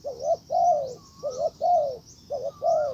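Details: Decoy spotted dove luring a wild bird: three low phrases in a row, each a short double coo and a long falling note, with a faint higher whistled slur between phrases and steady high chirring.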